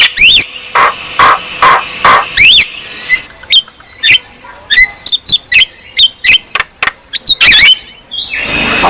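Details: Javan myna singing, aimed at lazy birds that will not sing: four repeated loud whistled phrases, then a series of short clipped calls spaced about every half second, ending in rising whistles.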